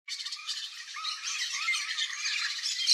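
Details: A wild, free Yellow-faced Parrot in Brazil gives a continuous run of harsh, grating squawks and chatter, high-pitched and rapid throughout, with no other sounds standing out.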